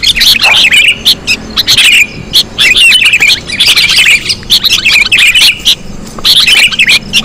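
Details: Sooty-headed bulbuls, lure sound: bursts of scratchy squawks and bubbly slurred chirps, each burst about a second long with short pauses between, a busy flock calling together.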